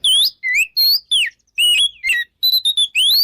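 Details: Oriental magpie-robin singing in the loud open ngeplong style, used as a lure to provoke rival birds to fight. Clear whistled notes slide up and down with sharp chirps in quick bursts, pausing briefly mid-clip. No other sounds.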